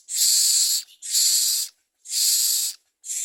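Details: Common myna feeding its young: harsh, breathy hisses, each lasting about three quarters of a second, repeated roughly once a second in a steady series.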